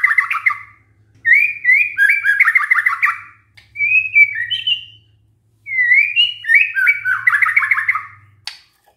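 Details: Lure recording of white-rumped shama meant to prompt shamas to reply, with three long bursts of varied whistled song, each mixing sweet slurred notes with quick rattling runs, separated by brief pauses and a soft low background hum.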